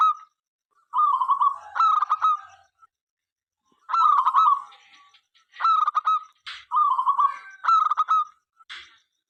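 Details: Zebra dove, a local bird in full song, sings to coax other doves into singing. Several choppy, nasal cooing phrases, paired and clustered, separated by short pauses.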